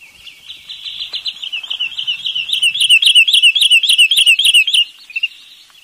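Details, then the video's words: Wood sandpiper calling: a high warbling run that settles into about fifteen sharp, evenly spaced notes, roughly three each second, before stopping abruptly, then a brief softer note. "เสียงนกชายเลนน้ำจืด Wood Sandpiper Sound"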